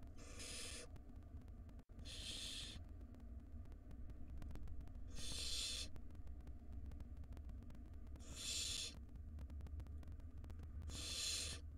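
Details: Wild barn owl nestlings begging while their mother hands out rodents in a nest box: five snoring, hissing screeches of under a second, spaced two to three seconds apart, over continuous low hum.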